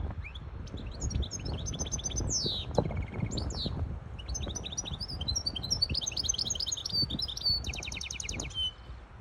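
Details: Song of a hybrid goldfinch, sung so chicks can learn it and to excite a female goldfinch that took up a mating posture: a continuous, rapid, high twittering with tinkling notes, buzzy sweeps and fast trilled runs, over low rumbling.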